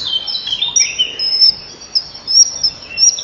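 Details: Inside a common kingfisher nest burrow on a May 2013 morning, female and male crowding in the tunnel at feeding time; thin, very high piercing whistles sound as sustained strands, punctuated by brief sharper peaks about every half second.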